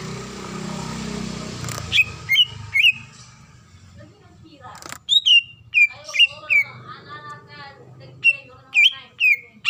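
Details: Female greater green leafbird, in breeding condition, calling a male: crisp whistled notes with quick up-and-down inflections, delivered in clusters of three or four, separated by quieter warbling and background noise.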